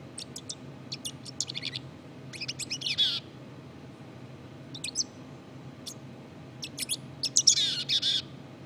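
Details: Black-capped chickadee giving subsong: strings of thin high chips, a descending slurred twitter, then later a harsher buzzy rasp among more chips, over a soft steady hum.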